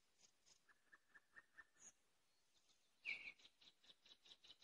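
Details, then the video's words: Common nightingale singing: a row of short clipped notes repeated about every quarter second, then a loud harsh note followed by a quick series of sharp, high repeated pips. "Соловьиные трели"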